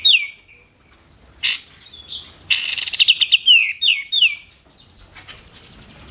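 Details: White-eared bulbul singing steadily, kept as a master recording for contest birds: downslurred whistles, a rapid rattling run of sharp notes, then more falling whistled phrases over faint high chirps.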